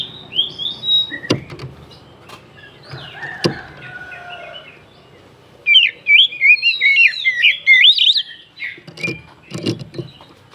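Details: Kacer, the oriental magpie-robin, singing to provoke other birds: soft whistles and slurred notes at first, then a loud, fast sequence of twisting, varied whistles, ending with thumps and muffled noise.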